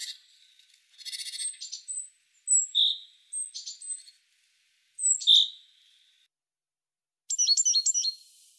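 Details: Great tit vocalising with a varied mix of high notes: buzzy chattering bursts, separate clear whistled notes with gaps between them, and a short fast run of sharp, ringing notes at the end.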